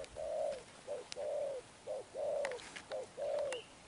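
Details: Wild-caught spotted dove cooing in the 'Thúc Đồng Pha Sấm' style: mellow two-part phrases, a longer coo then a short note, repeated steadily, with sharp clicks or taps between the phrases.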